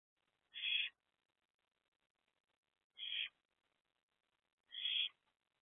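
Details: Wild barn owl mother perched with her two oldest owlets at a nest box, youngest inside, 7 April 2024, just after 1 am; three short, harsh hissy bursts about two seconds apart, otherwise quiet.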